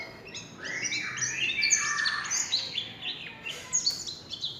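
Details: Warbling white-eye in the líu chòe song style: fast twittering, warbled notes tumbling up and down, quieter and denser than a clean recording, with soft background noise throughout.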